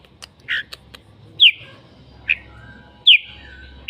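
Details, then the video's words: Red-whiskered bulbul singing: a few soft notes, then three loud sharp whistled phrases about a second apart, each a high note that drops into a short trailing whistle, over faint background hum. "Noog diab kaum lauj quaj thiab seej heev"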